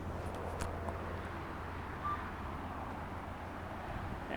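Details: Steady traffic rumble and a low engine hum at a canyon trailhead, with no animal calls heard.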